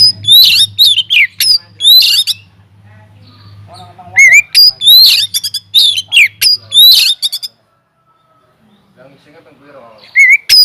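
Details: Caged Oriental magpie-robin singing hard in an aviary as a lure for other birds: dense runs of loud, sharp, descending whistles and raspy chatter repeat about three times a second, pause briefly, then resume with a rising, wavering whistle.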